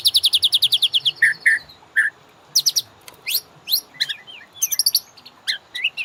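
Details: Caged-bird training master of a white-rumped shama: a rapid run of about twelve high notes, a few lower rich whistles, then scattered sharp chips and quick up-slurred whistles.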